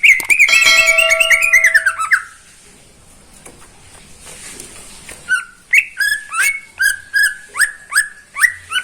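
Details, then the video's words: A pet greater green leafbird sings nonstop in the morning. A dense, warbling, chattering phrase is followed by a pause, then a steady series of sharp, downslurred whistles roughly twice a second. "Kicauan cucak ijo di pagi hari"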